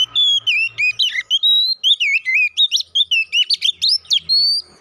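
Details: Oriental magpie-robin lure song for provoking fights, a continuous run of loud whistled notes that swoop up and down, mixed with quick chirps and trills, with faint low hum behind.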